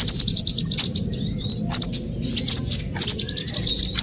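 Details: Sunbirds of various kinds calling as a bird-trapping lure: short, piercing high chirps and quick twittering slurs repeated in small clusters roughly every second, over a constant low background hum.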